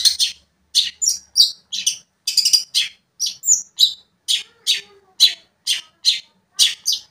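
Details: Long-tailed shrike in full song, meant to provoke another shrike: a string of harsh, scratchy chattering notes, about fifteen bursts in seven seconds, with a few clear whistled notes mixed in.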